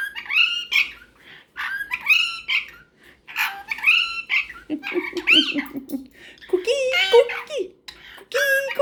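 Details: Caged pet cockatiel talking with a superb parrot at bedtime indoors. Irregular runs of bright, chirpy, harmonic squawks repeat in short phrases, broken by a low human voice midway and ending in drawn-out whistled notes.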